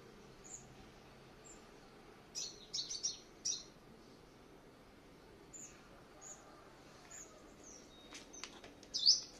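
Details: White-bellied sunbird used as a decoy, exercised in the morning, Quảng Ngãi, May 2020. Gives scattered high, thin chirps and a quick cluster of sharp twittering notes, ending in a louder high squeaky phrase, with hiss behind.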